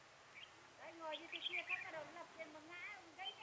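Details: Red-whiskered bulbul at a trapping site with a lure bird, recorded 10 December 2017; a run of warbled, slurred phrases that rise and fall in overlapping notes, with brighter high chirps mixed in.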